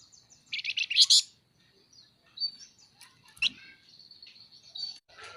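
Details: Pin-tailed parrotfinch, known locally as flamboyan, chattering lively: a quick run of loud, high, clustered chirps, then thinner scattered tweets and a sharp single note, with faint low background hum.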